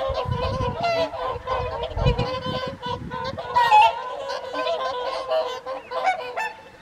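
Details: Whooper swans gathered for the evening feed on the Folly Pond at WWT Caerlaverock in January 2023: a dense chorus of nasal, trumpeting honks overlapping continuously, with low rumbling wind or handling noise during the first three seconds.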